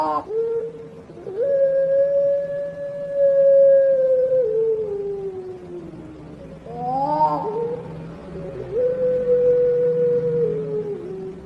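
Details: Prize-winning turtle dove, a puter pelung contest bird known for its long melodious voice: a short rising note, then a very long level tone held several seconds and sliding lower, a brief wavering break, then another sustained drawn-out tone.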